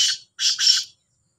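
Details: Kala teetar (black francolin) call from two birds competing: three short, scratchy, hoarse bursts, the last two run closely together, ending in silence.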